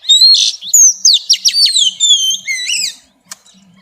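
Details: A female Oriental magpie-robin sings xùy to stir up males: loud, clear whistles and quick downslurred notes in a rush, then a sharp click and near silence.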